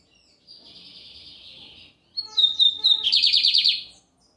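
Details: Lined seedeater (bigodinho) singing heavily on a Sunday in Brazil: a soft hissy buzzing phrase, a pause, then sharp clear whistles followed by a loud fast pulsed trill.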